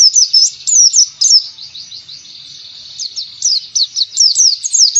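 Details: Pleci trigger song as ngalas learning material: crisp, downslurred high notes in quick series, a quieter thin trill in the middle, then renewed rapid sharp chirping.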